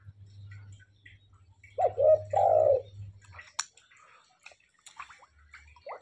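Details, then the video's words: Tame spotted dove in full, frequent song: two low, rounded cooing notes close together, followed by scattered thin chirps and clicks over a steady low hum. "TEKUKUR GACOR DAN JINAK"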